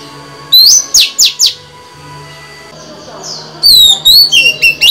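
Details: Female white-rumped shama singing to stimulate males: bright whistled notes rising and falling near the top of the range, a burst of quick downslurred phrases, a pause, then a second run of looping warbled whistles.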